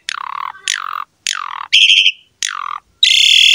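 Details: Asian pied starling sound meant to prompt other starlings to sing: harsh, descending rasping squawks alternating with long buzzy, grating notes in separate bursts.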